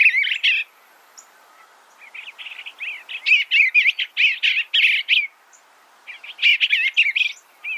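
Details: Warbling Eastern bluebird: a brief opening burst, then a longer run of rapid, slurred, undulating notes lasting about two seconds, followed by another short jumbled phrase after a pause.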